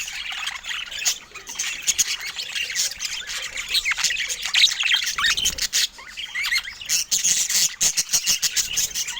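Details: Pet budgerigars warble and squawk together; the chatter is dense at first, then breaks into rapid clipped chirps repeated several times a second toward the end.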